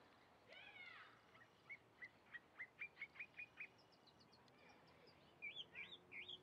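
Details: Chalk-browed mockingbird in song: a harsh rasping note, then a steady string of nine short, bright chips, followed by loud looping, rising whistled phrases.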